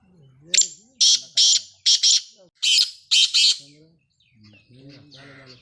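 A black francolin gives a rhythmic series of about eight harsh, grating, rasping notes in quick pairs; a man's voice murmurs before and after.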